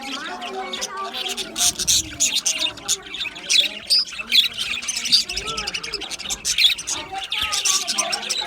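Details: Group of budgerigars in an aviary giving lively chirps, high tweets and squawks in uneven bursts over a quieter, rippling warble of lower notes.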